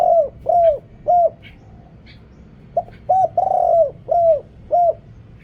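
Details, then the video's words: A decoy spotted dove recorded in Thailand, calling to attract wild birds, gives steady, deep, hollow coos. Evenly spaced notes bend downward at their ends, with a brief pause midway and a longer note in the second phrase. "เสียงต่อนกเขาใหญ่ เสียงใหญ่"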